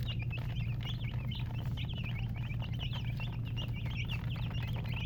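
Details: Chicks keep up rapid, high, wavering peeps in a continuous overlapping flock chorus against a strong low hum.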